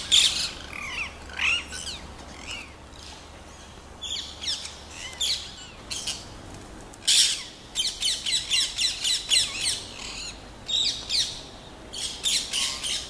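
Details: Wild rose-ringed parakeets give shrill, high screeches and squawks in dense, irregular bursts, then a rapid series of sharp repeated notes, with a faint low hum behind them.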